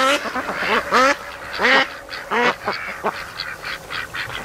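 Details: Lazy domestic ducks lounging at a lake in afternoon sun, some mating between naps near a creek mouth. Loud, rasping, downward-curving quacks come in quick pairs and triplets, then fainter, shorter calls trail off.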